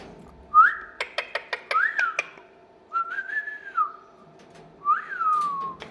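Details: Talking pet parrot producing a run of sharp clicks and several rising-then-falling whistled notes, each about a second long, with short pauses between them in a quiet room.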